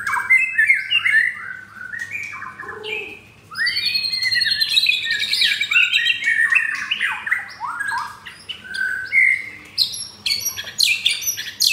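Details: Rough-material song of a captive F4 blorok white-rumped shama in Jakarta: a long stream of loud whistled slides, sharp chips and rasping high bursts, delivered almost without pause in varied, tumbling phrases.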